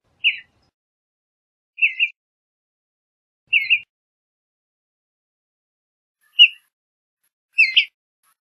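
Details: Western bluebird calling with five brief, burry chirps at irregular intervals of one to three seconds, the last one rougher with thin high overtones; no other sounds heard.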